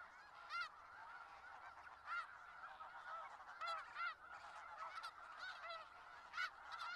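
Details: Snow geese in a large flock in Skagit Valley, giving loud nasal honks that stand out every second or so over a steady, dense chatter of many calling birds.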